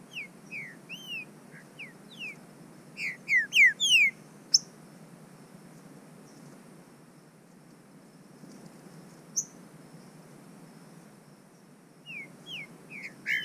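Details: A captive-bred Green-winged saltator, warming up outdoors among vegetation, gives bursts of loud, clear whistled notes, some rising and some falling, separated by long pauses, with a few thin, high notes in between.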